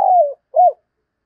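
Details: Spotted dove kept as a decoy bird, cooing in the morning; a short clip with a long, gently falling coo followed by a brief arched note, clean and quiet background.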